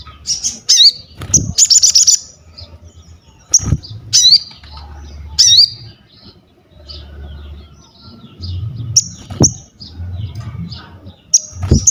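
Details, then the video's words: Crested jay singing vigorously as training material: piercing high whistles with sharp upward flicks, a brief dense rattle near the start, then spaced whistled notes over a low rumbling background. "SOGON GACOR UNTUK ASAH MENTAL, MASTERAN DAN PANCINGAN BUNYI"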